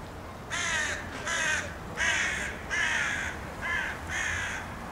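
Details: Eurasian jay giving a series of six harsh, rasping screeches, each about half a second long and spaced roughly a second apart, loud and broadband over a quiet background.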